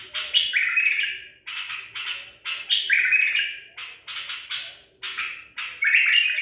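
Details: Song of a caught white-eared bulbul, Baghdadi type, taken in Medical City, 14 April 2021: clear, fluty, slurred phrases mixed with short chatters, given in repeated bursts about every second, loud and close.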